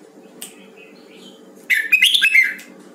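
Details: Huế red-whiskered bulbul in voice training, giving one energetic phrase of fast, bubbling whistled notes that rise and fall in under a second, after a near-silent start with faint chirps and a low background hum.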